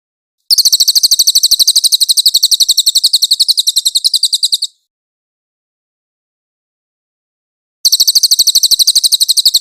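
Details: Velvet-fronted nuthatch, recorded cleanly as a master for training songbirds such as the white-rumped shama. A fast, dense chipping trill lasts about four seconds, followed by a silence of about three seconds before the trill starts again.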